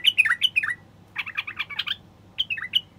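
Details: Male bulbul song aimed at prompting wild bulbuls to sing and breed: quick descending whistled notes, then a burst of chattering warble, then two more falling whistles.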